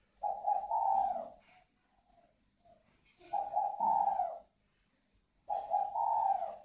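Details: Cooing spotted dove pair from northern Vietnam, còi vang voice style, kept birds at a garden in Ba Vì district, Hanoi; three mellow, slightly rising two-part coos spaced about two to three seconds apart, otherwise quiet.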